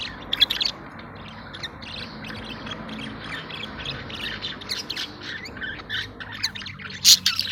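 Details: Budgerigars kept in a cage while mating and regurgitating food; soft scratchy chatter runs beneath a steady hiss, with a few louder sharp squawks, the loudest near the end.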